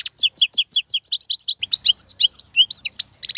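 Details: Male European goldfinch singing to tutor young birds. The song is a fast, high-pitched twittering run of short chirps and trills, nearly continuous with rapid repeated notes, ending in a brief sustained whistle and a dense burst of chatter. No other sounds.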